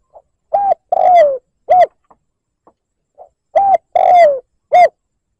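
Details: Decoy spotted dove giving liêu lỡ style coos meant to lure and provoke wild rivals; two repeated phrases of a faint lead note, short hollow coo, drawn-out descending coo and brief closing note, with silence between.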